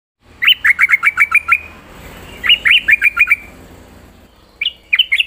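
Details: Yellow-vented bulbul (trucukan) singing actively in full 'isian' style: two quick runs of about eight sharp, bright chirps, each run lasting about a second, then a short burst of whistled, warbling notes near the end; low background hum.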